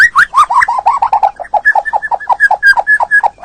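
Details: White-rumped shama, a male, in a tutor recording meant to restart a stressed bird that has stopped singing: a fast run of short, even chirps near one pitch, repeated about five times a second, each rising slightly.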